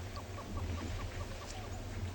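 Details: Distant hornbill on an afternoon game drive at Ngala Private Game Reserve, South Africa, 13 April 2020, giving a steady series of short clucking notes, about four or five per second, over a deep rumble of wind rustling grass.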